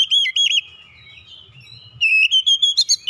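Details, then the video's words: Oriental magpie-robin with a tight rolling song: looping whistled notes at the start, a softer stretch, then a run of quick, rising whistled phrases ending in sharp chirps. "KICAUAN DASAR KACER NGEROLL RAPAT"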